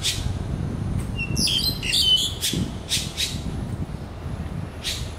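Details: A red-billed blue magpie calls nonstop at a big turtle, giving loud, harsh rasping squawks in short bursts with a few thin whistled notes between, over a low background rumble.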